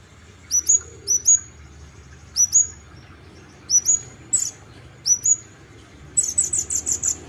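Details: Olive-backed sunbird, locally called kolibri ninja, singing in the lively gacor isian style: sharp, high chirps with quick upward flicks, given in pairs about once a second, then a fast run of thin buzzy notes near the end.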